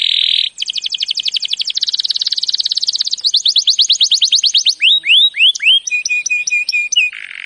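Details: Canary singing a training song: a buzzy opening, accelerating trills of rapid chirps, a run of broad falling whistles, then spaced sharp ticking notes and a closing buzz.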